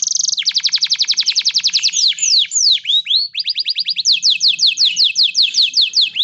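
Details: Male canary in breeding condition calling for a female: a steady rapid trill of repeated rising notes, then swooping downward slurs, then more fast rolling trills, loud and continuous throughout.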